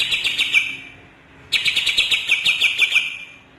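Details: Cucak ijo Kalimantan (greater green leafbird) gives two bursts of rapid, rattling chirps repeated roughly three per second, each phrase dropping slightly in pitch toward its end.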